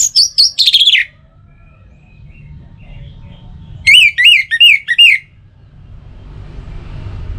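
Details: Orange-headed thrush sounds played as a dawn and dusk lure for songbirds: a quick cluster of high, sharp notes at the start, a quiet gap, then four looping whistled notes, with soft background rumble at the end.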